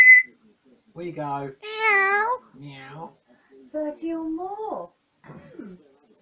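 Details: Caged African grey parrot babbling during its bedtime routine of settling down: a sharp high note, then a series of varied speech-like syllables, some rising and some falling, spaced by short silences.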